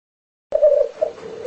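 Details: Black grouse displaying, filmed as home footage: after half a second of silence, a low bubbling warble starts and runs on steadily with a slight wavering swell.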